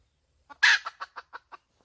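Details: A hen gives one loud, harsh, drawn-out squawk, followed at once by five short clipped clucks at an even pace in a quiet setting.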